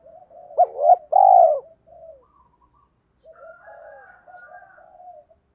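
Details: Spotted dove with a kích bổi song phrase: a pair of short coos, then a long resonant coo and a brief soft note. A stretch of faint layered cooing and warbling follows.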